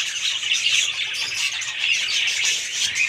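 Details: Lively budgerigar chorus of high, scratchy chirps and squeaky notes running together without a break.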